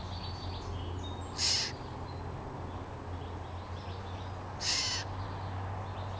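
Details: At its nest, filmed in early April 2015, a scrub jay (Aphelocoma californica) gives two harsh, raspy calls about three seconds apart, over a steady low hum and faint background noise.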